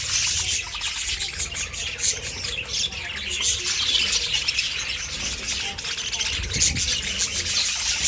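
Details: A large flock of hungry budgerigars (Melopsittacus undulatus) in an aviary keeps up a loud, constant, busy twittering of high chirps and warbles.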